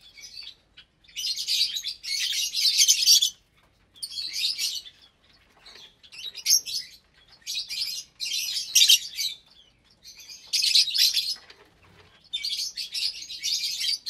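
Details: Aviary of about 25 lovebirds, parblue, euwing, opaline, lutino and albino, at feeding time, January 2023; loud shrill screeching chatter in bursts of one to two seconds separated by short pauses.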